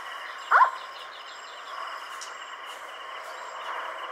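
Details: Indian scops owl at night near Sikar, Rajasthan, India, 7 April 2020, with another scops owl calling in the background; one brief, curved hooting note early on, then a continuous insect hum and faint chirps.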